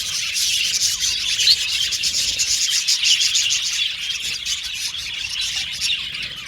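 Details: Many Australian budgies chirping happily together, a dense, continuous wash of high tweets, chatter and short squeaky notes, with many overlapping voices and no pauses.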